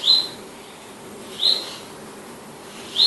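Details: Palestine sunbird calling with three bright, sharp high chips spaced about one and a half seconds apart, quiet hiss between them.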